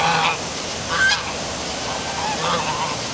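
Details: Geese heard at night by the downtown waterfall in Milford, Connecticut: three short, separated honks, one sharply pitched in the middle, over constant roaring water.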